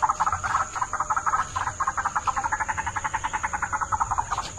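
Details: White-breasted waterhen lure call: a fast, steady train of harsh, croaking pulses, about eight a second, running without a break, over a steady high electronic whine.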